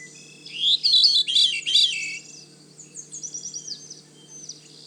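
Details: Veery singing in damp, swampy woodland at Manchester Cedar Swamp Preserve, New Hampshire, breeding season: a liquid metallic whirling phrase spiralling down in pitch, then a softer, fainter echoing phrase after a pause.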